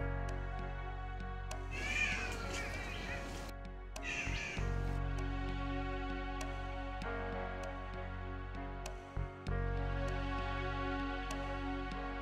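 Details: Green Catbird, a bowerbird-family bird named for its call resembling a domestic cat, in rainforest at O'Reilly's in March 2012, giving two harsh, wailing cat-like calls, the first longer, over steady background music.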